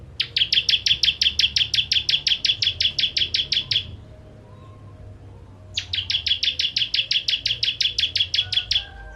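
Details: Bar-winged prinia (ciblek), 'kristal' style song with sharp 'tembakan' bursts, used as a tutor for training songbirds: two long trains of about twenty rapid, evenly spaced buzzy ticking notes, separated by a short pause, over faint low hum.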